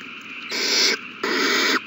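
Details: Owl chick begging during a feeding at the nest, March 27, 2020: two loud raspy hissing screeches, each about half a second long, with a short gap between.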